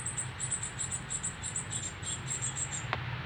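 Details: Begging from a young northern cardinal just out of the nest, fed by its father in Canada on September 12, 2020: an almost unbroken run of rapid, high-pitched chips, with a low background hum and a brief click near the end.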